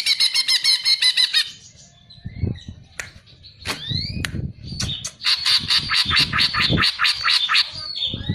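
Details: Greater green leafbird, called cucak ijo, singing on a songbird training recording: a fast harsh rattle, a pause with sharp upward whistled flicks, then a long, dense, scratchy chattering run over low background rumble.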